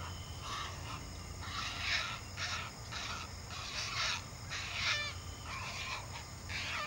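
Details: A lone great blue heron chick makes a big fuss at the nest as a parent regurgitates a fish for it. Rasping, harsh squawks come in repeated bursts about every half second to second, some with a grating edge, over a low background rumble.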